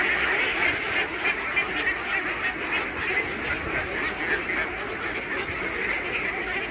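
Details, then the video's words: A farm flock of some 3000 Khaki Campbell ducks at feeding time gives a constant chatter of many quacks at once. A few louder calls surge above the busy din. "Duck Farming Feeding 3000 ducks || Khaki Cambell Ducks"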